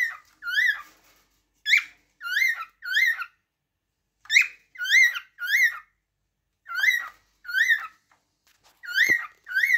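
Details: A cockatiel whistles its song in clustered, slurred notes that climb and then drop, in loose groups of two or three. A faint click is heard near the end in an otherwise quiet indoor setting.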